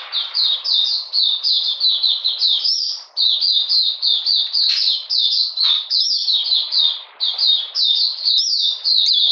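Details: In cold rainy weather on 13 June 2020, an Oriental magpie-robin sings continuously, a rapid chain of sweet, falling whistled notes with brief gaps, steady and loud throughout.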